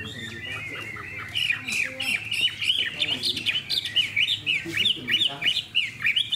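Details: Caged hwamei, a fan-tailed bird noted for its calm temperament, starting with soft chatter and then launching into loud, fast, repeated whistled upslurs and downslurs, several per second.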